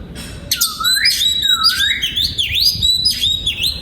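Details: Oriental magpie-robin singing in an aviary kept for breeding: swooping whistles dip low and curve back up, with high sharp accents layered over them, repeated about twice a second.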